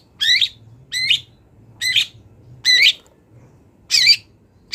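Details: Wild long-tailed shrike recorded for training songbirds: a harsh, wavering squawk repeated roughly once per second, each note buzzy with a bent, twisting pitch, over a faint low hum.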